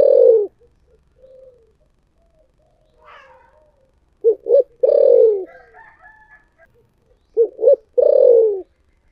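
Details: Spotted dove cooing in the thổ sấm style, three phrases of two short hoots and a long sliding coo, while another bird gives brief chattering calls in the background.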